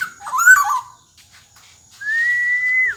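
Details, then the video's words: Golden black-naped oriole in gacor dor jonbreak style, a model for young orioles still learning: a short harsh, buzzy burst, a pause, then a long clear flat whistle that dips at its end. "Burung Kepodang Emas Gacor Dor Jonbreak Sangat Cocok Buat Masteran Kepodang Yang Baru Belajar Bunyi"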